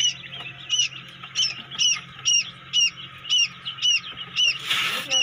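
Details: Quail chicks hatching inside a homemade incubator peep rapidly, bright high notes coming roughly twice a second; a brief rustling burst of noise near the end, and a constant low hum underneath.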